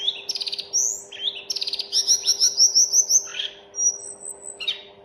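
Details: Mountain tledekan (Sunda robin) song: quick stuttered chips, a drawn-out high whistle, then a rapid string of bright ringing notes and a trill, followed by lone sharp calls, over a low continuous hum.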